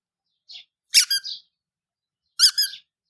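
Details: Baby chicks, colourful domestic chicks kept indoors, making loud piercing cheeps in two short clusters, each a sharp peep followed by a falling trill-like note, with silence between, in a small room.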